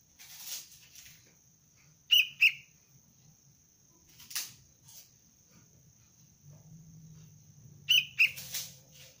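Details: Paired quick chirps from a young sooty-headed bulbul in lure training, heard twice several seconds apart, mixed with clicking and rustling noises and a faint continuous high whine.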